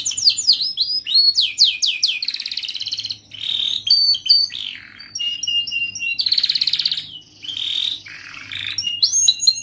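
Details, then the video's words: Canary song used to train young canaries: varied high-pitched song mixing quick descending sweeps, buzzy rolling trills and sharp whistled notes, delivered continuously with brief pauses, over a faint low background hum. "Masteran Kenari gacor Muda belajar NATA LAGU, paling Pandai utk pancingan kenari paud belajar bunyi"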